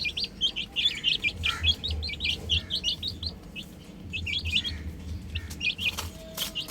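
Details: Chicks on a roof peep in quick, high, repeated notes, a dense burst early on, a brief lull, then another run of chirps, with a low hum and occasional clicks.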